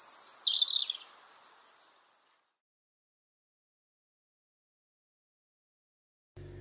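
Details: European robin in Ireland, a garden bird in which females also sing, gives a brief, high, thin warbled song phrase with a sharp opening note, then falls silent before a low murmur at the end.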